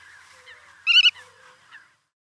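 Black-tailed godwit giving one loud, nasal, slightly wavering call, a quarter-second long, over faint twittering from other birds.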